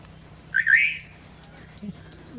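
A Slate-colored Boubou gives a single short, slurred whistled note rising slightly in the middle. A faint low sound follows, over steady background hum.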